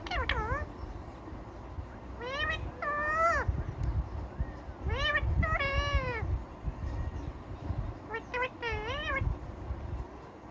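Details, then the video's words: Indian ringneck parakeet giving drawn-out, bending nasal calls in several separate bouts, each dipping and rising in pitch, with loud low background noise throughout. "Ringneck parrot talking video"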